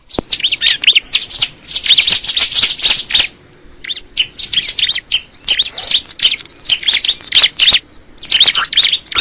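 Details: Bar-winged prinia pouring out rapid, high twittering and sharp chip notes in clustered bursts, a short lull near the middle, then thin whistles with quick chirps.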